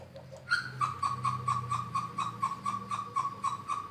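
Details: A Papuan butcherbird, endemic to Papua, kept in an aviary, gives a steady run of clear, mid-pitched whistled notes, about three a second, after one slightly higher opening note, over a low background hum.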